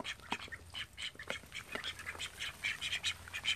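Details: Call ducks, thirteen kept at a home: a busy run of short, harsh, high quacks from several birds, overlapping irregularly at about two to three per second, with a faint low hum beneath.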